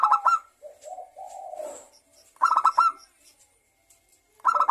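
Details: Lure song of zebra doves, local and Bangkok types, meant to set other birds singing: loud rattling bursts of quick stuttering notes separated by warbled, falling low coos.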